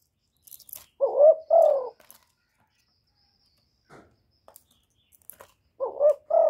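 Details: Spotted dove calling and cooing: two short bursts of paired low, burry coos separated by a quiet stretch with faint clicks and soft rustling, possibly a wing flutter.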